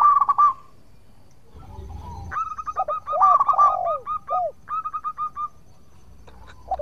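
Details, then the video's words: A local zebra dove sings briskly in a recording used to lure rivals into answering. Trains of quick, bouncing coos rise and fall, overlapped by a second bird's deeper, curving notes, with a low rumble in the background. "Perkutut Lokal Gacor Suara Merduk Cocok Buat Pancingan - Bikin lawan langsung Nyaut!!!"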